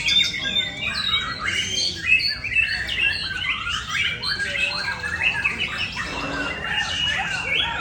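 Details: White-rumped shama singing: a continuous rich medley of varied whistles, rapid trills and chattering notes at mid to high pitch, dense and fluid throughout with no pauses.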